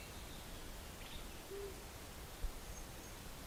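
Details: One short, soft, low hoot from a flammulated owl on Big Pine Mountain in July, with western wood-pewee and western tanager also heard as faint high thin notes, over a steady background hiss.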